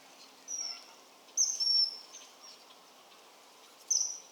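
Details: Common kingfisher in the wild calling with piercing high whistles: a brief note, then a longer stretched double whistle, and a final sharp note after a pause, with faint background noise.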